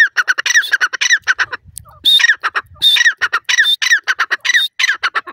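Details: Grey francolin calls as rapid harsh notes, some phrases led by a whistled high note, with a brief low rumble partway through.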